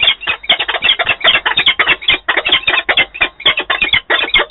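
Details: Peregrine falcons, an adult pair meeting in Wałbrzych, Poland, 11 September 2022; continuous loud, raspy cackling with densely packed rough notes running without pause throughout.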